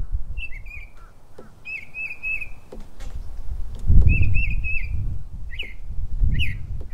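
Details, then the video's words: Northern mockingbird, called a Florida mockingbird, singing in a backyard in the morning: varied short whistled phrases, some repeated two or three times, with low rumbling background noise. "Florida Mockingbird in my backyard"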